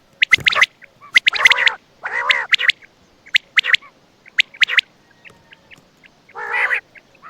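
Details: Quail (batair) calling at night near Attock: sharp chips alternating with hoarse, nasal downward-bending bursts, loosely repeated about once a second, then fainter clicks.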